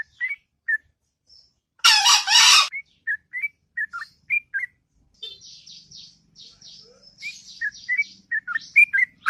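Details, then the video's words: Sooty-headed bulbul singing its melodious ngropel song in the morning: scattered short liquid whistles, interrupted by a loud harsh burst, with thin high descending notes from another bird behind. "Burung Trucuk Ngropel Panjang & Merdu Di Waktu Pagi"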